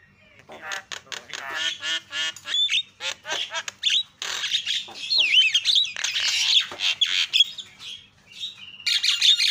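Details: Starling chatter played as a lure for reluctant singers: dense, scratchy rattles and squawks with tangled whistles, building into a loud continuous jumble.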